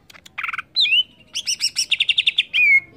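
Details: Agitated song of a greater green leafbird, the cucak ijo: a harsh chirp, then a clear slurred whistle, a quick rhythmic series of ringing notes and a closing pure whistle, all bright and high.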